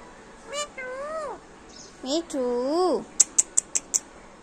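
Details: Female Alexandrine parakeet mimicking human speech: two voice-like, wavering phrases with strong overtones, each rising and then dropping, followed by a quick run of five sharp clicks.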